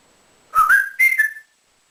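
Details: Male African grey parrot kept as a house pet delivers two linked whistled phrases, the first climbing in steps, the second higher and steady before dropping a little, then silence.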